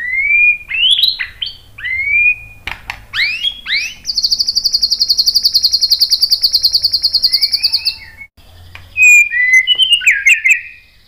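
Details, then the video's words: White-rumped shama song used as a lure so other birds answer: rising whistles and buzzy notes, a long fast high rattle lasting about four seconds, then varied whistled phrases. "KICAUAN MURAI BATU memancing BUNYI jadi NYAUT GACOR NGEPLONG BONGKAR ISIAN ¦ PANCINGAN MURAI"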